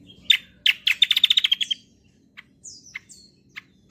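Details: Kecial kombo bird singing in a rapid gacor style, used as a lure and song model for other birds: sharp high chips, then a fast trill of about ten even notes, followed by scattered thin whistles and chips.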